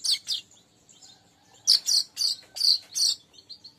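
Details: Lure recording of a weaver: loud bursts of harsh, high chirps, two early and then five in quick succession, with faint twittering in between.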